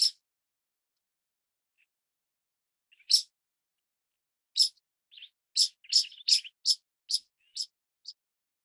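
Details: Pied Kingfisher giving sharp, high chirps, first spaced widely, then speeding into a quick run of about eight clipped notes near the end, mixed with a few softer, lower notes. No other sounds.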